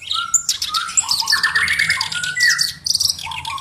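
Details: Black-browed reed warbler in constant song, a tutor bird prized for its unusual voice: harsh, grating chatter and lower churring phrases woven with sharp high whistles, rushed together in an unbroken medley.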